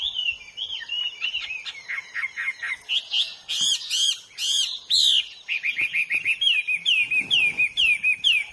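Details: Hwamei song in the wild: quick chattering notes, loud high bursts, then a series of repeated downward-slurred whistles about twice a second.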